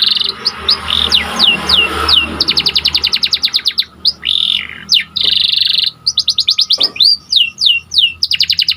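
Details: White canary singing vigorously: fast trills of rapidly repeated notes alternate with upward and downward whistled sweeps and buzzy rolls, with short gaps between phrases and a faint low hum underneath.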